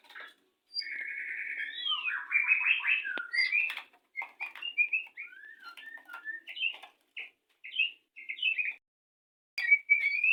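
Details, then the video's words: Courtship singing of a captive white-rumped shama before mating: a buzzy rattling trill leads into a drawn-out series of short varied whistles and chips with small gaps, ending in loud bright notes. "rayuan saat murai batu ingin kawin"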